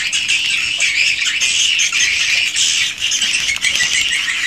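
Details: Original recording of swiftlets in a swiftlet house: an unbroken wall of high, buzzy, overlapping twitters from many birds, steady in loudness throughout.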